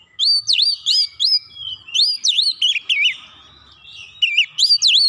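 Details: Oriental magpie-robin delivers a rapid series of loud, clear whistled notes, each a sharp dip and rise, repeated about three times per second, with a brief wavering trill in the middle.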